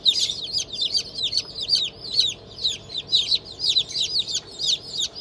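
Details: Newly hatched chicks of Black Australorp, Sussex and Fizan breeds, a hatch from 25 May 2023, giving a dense chorus of high, piercing peeps that rise and fall quickly, several birds overlapping in bursts about every half second.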